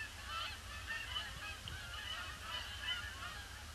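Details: Canada geese arriving in a large influx on a grey Boxing Day, circling the pond before landing; a dense chorus of honks, loudest around the half-second and near three seconds, over a low background rumble.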